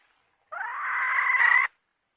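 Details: One sustained hen call just over a second long, a nasal, slightly rising squawk that grows louder toward its abrupt end, with nothing else heard.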